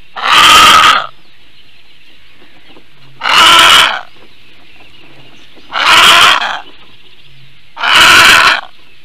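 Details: Female Eurasian bittern in Latvia, 9:25 AM on 7 May 2022, responding to an unidentified aerial threat: four loud, harsh, rasping bursts of about one second each, spaced roughly two and a half seconds apart, with faint small-bird chirping between them.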